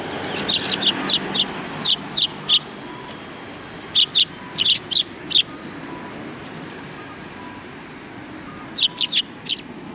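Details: Recorded 17 January 2020 behind a civic cultural hall, several sparrows give bright, clipped chirps in loose series, a pause of a few seconds, then a final quick cluster, with faint low traffic rumble.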